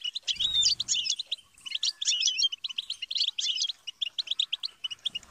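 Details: Goldfinch singing for songbird tutoring: a lively, fast twittering warble of crisp chirps and slurred whistles. A short soft low rumble occurs near the start.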